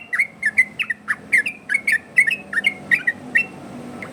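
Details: Yellow-vented bulbul singing a 'ropel' variation to provoke replies from other bulbuls and train them: bright, loud whistled notes in quick succession, each with a crisp click, fading at the end.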